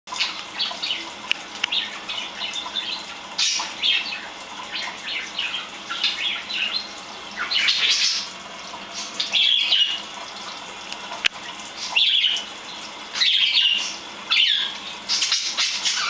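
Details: Two pet budgerigars bathing in a kitchen sink, one joining the other, give bursts of bright, scratchy chirps and warbles over the hiss of running water.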